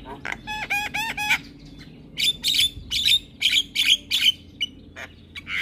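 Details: Javan myna in captivity, used to train other mynas: a stacked, harmonic rasping phrase followed by a string of loud, broad chattering notes in quick succession.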